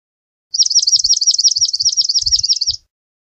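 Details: Swamp sparrow song: a bright trill of repeated slurred, downward notes held for just over two seconds. Soft low thumps are heard underneath.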